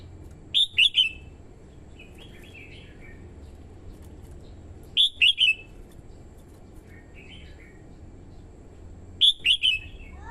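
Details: Red-whiskered bulbul, a female decoy singing to stimulate males and lure wild birds. A quick three-note whistled phrase repeats three times, roughly every four seconds, with soft warbling notes between phrases and faint hum.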